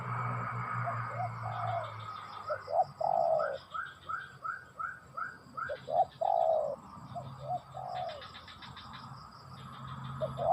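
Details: Spotted dove song: a run of short, mellow coos followed by longer drawn-out falling coos, repeated in uneven phrases, over a constant thin high whine and intermittent pulsed chirps from other sources.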